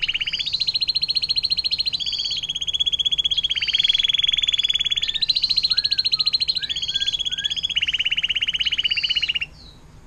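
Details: Atlantic canary performing the long 'air mancuran' fountain-water song, a tutor recording for other songbirds; loud continuous fast trills in alternating pitch blocks for over nine seconds, a few lower slurred notes mixed in, ending abruptly.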